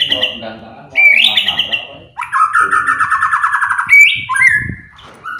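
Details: White-rumped shama song played to provoke other birds into singing: loud, rich whistled phrases, some rising and some held, with a long rapid trilled warble in the middle and faint low voices beneath.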